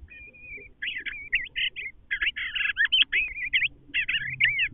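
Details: Pair of Eastern bluebirds communicating around their nest: the male inside rearranging nest material while the female waits outside and seems to demand he come out; soft warbled chattering notes in quick bursts, rising and falling, over a faint low rumble.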